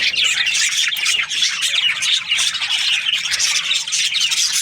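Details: Aviary budgerigars, kept as breeding pairs, fill the air with loud, scratchy squawks and rapid high twitters in a continuous overlapping chatter.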